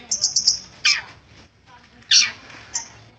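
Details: Long-tailed shrike, a persistent singer, giving a short run of high chirps followed by two harsh, buzzy bursts about a second apart.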